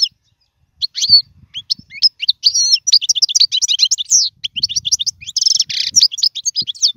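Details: European goldfinch, a prized contest singer used for teaching young birds: long continuous twittering song of quick high chirps, slurred whistles and a short rasping buzzy trill near the end.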